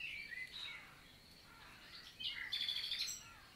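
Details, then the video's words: Common nightingale (Luscinia megarhynchos) singing on a summer morning, 11 June 2023, in countryside forest of La Vallée du Célé, Lot, southern France; soft, faint high whistled and slurred phrases, ending in a brighter burst of rapid notes. "NIGHTINGALE MORNING SONG"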